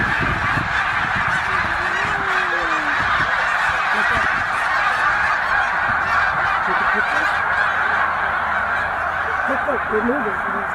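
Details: A huge flock of migrating snow geese stopping over at Middle Creek Wildlife Management Area, Pennsylvania, on spring migration north, up to 100,000 birds, makes an unbroken roar of high, nasal barking honks overlapping into one steady din.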